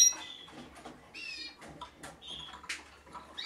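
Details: Male Timbrado Español canary, vice German champion at the 2013 German Championship, one of a four-bird collection, giving short scattered chirps and brief bright whistled notes with soft rattling clicks in a quiet room.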